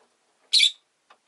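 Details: Rosy-faced lovebird, a household pet, giving a single short shrill chirp, then a faint soft note.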